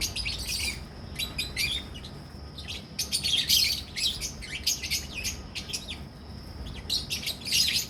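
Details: Lovebirds, albino red-eyed and personata red-eyed, in a caged colony for breeding in Pakistan, chattering in quick, shrill, high chirps that come in tight overlapping volleys, with a low hum throughout.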